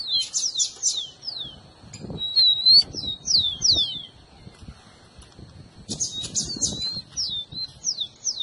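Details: Rufous-collared sparrow song, used to stimulate a pet bird: fast flurries of high, steeply falling whistles separated by a quieter stretch, with light rustling and low background noise.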